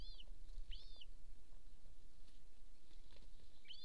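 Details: Golden eagle at an Estonian nest camera by a military training ground, 26 April 2024, 13:50: three short, high, arched yelps, two close together at the start and one at the end, over low background rumble.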